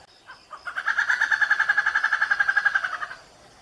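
Malabar grey hornbill giving a fast, mid-pitched cackling laugh of about twenty nasal notes over two and a half seconds, after two soft introductory notes.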